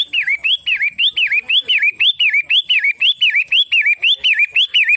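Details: Pentet matahari, a Long-tailed shrike, keeps up a steady string of bright whistled phrases. Each one rises, dips and recovers, given evenly about twice per second with a raspy edge.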